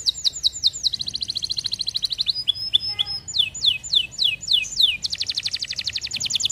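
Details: Canary song built from rapid trills: quick falling whistled slurs, a fast rolling tour, a few pure tones, a slower series of downswept notes, then a dense fast trill.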